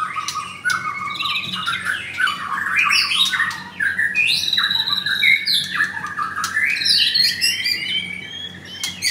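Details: White-rumped shama kept in a cage at a Jakarta bird kiosk in Kemayoran, with a blue leg ring, delivers a long energetic song. Varied phrases tumble together: rising and falling whistles, clicks and buzzy trills, sustained for nine seconds.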